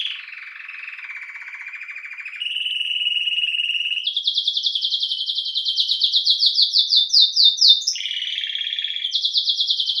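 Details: ['Singing domestic canary: a low buzzy trill, then a level whistled tone, then quick high rolls of repeated notes, a short lower burst, and another high roll.']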